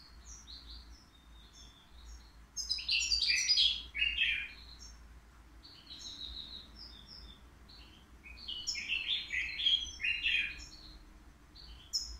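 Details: Caged European goldfinch, three years old, at the Qriaa bird market, its song said to be faultless: two bursts of rapid liquid twittering and buzzy trills separated by quieter scattered high chips.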